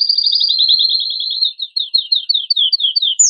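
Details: Strong excited song of a male canary, aimed at stimulating female and male canaries to mate: a fast even roll breaking into slower, separate downslurred notes, ending on a higher note.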